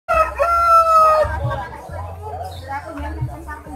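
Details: Large rooster seen at Gawok market in Sukoharjo, Indonesia, with an unusual crow said to sound like someone calling Jokowi: one long, steady, nasal crow lasting just over a second, followed by market chatter and voices.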